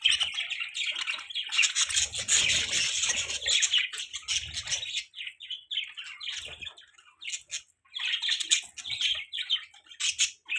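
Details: Morning chirping of budgerigars, a busy flock-like chatter of warbled, buzzy high notes in long runs that fade briefly, then resume with sharp tweets.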